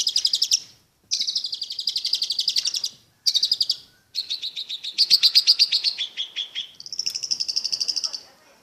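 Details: Long-tailed shrike singing song material in long, rapid, buzzy trills of fast repeated notes, about four per second, each trill shifting in pitch and broken by short silences.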